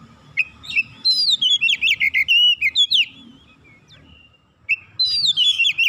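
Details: Training song of the oriental magpie-robin, played as a tutor for young birds: a long, fast run of loud, sweet, slurred whistles and sharp chips, a short pause with a thin note, then the rapid phrase starts again.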